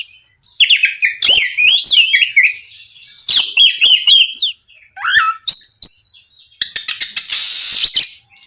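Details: Oriental magpie-robin in full, lively song, played as night-time therapy to prompt other magpie-robins to sing: loud rising whistled slurs mixed with harsh scratchy bursts in phrases, ending with a hissing rasp.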